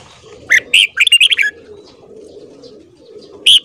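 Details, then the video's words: A red-whiskered bulbul gives a short morning phrase of two clear notes, then a fast rippling run, and one more bright note after a pause. "Luyện giọng chào mào hót sáng .kích giọng chào mào hót hay"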